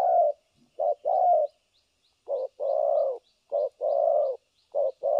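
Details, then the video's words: Spotted dove, a trapping decoy, cooing continuously in the thổ cấn sấm nước style: soft, deep short-long coo pairs after a brief pause, with faint high ticking notes repeating in the background. "Thổ cấn Sấm nước gù liền"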